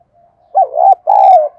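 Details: A single phrase from a spotted dove decoy calling to lure wild doves: a soft lead-in, a wavering double note, then a long, smooth, slightly falling coo.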